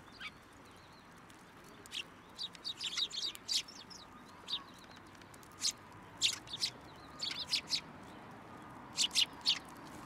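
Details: Sparrows visiting a post for food at a Tenmangu shrine, 2 January 2023, utter many short, high chirps, single or in quick doubles, spread irregularly across ten seconds over faint steady noise.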